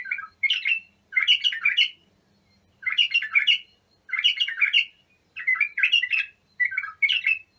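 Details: Bulbul song played for training young bulbuls: short bursts of bubbly, warbled notes in rich chattering phrases, each under a second, repeated with brief pauses. A faint low hum underlies the opening seconds.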